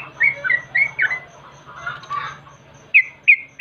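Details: Yellow-vented bulbul lure sound used to make birds sing: chattering, squawky warbled notes, then a few sharp bright chirps, over a steady low hum and a faint ticking pulse.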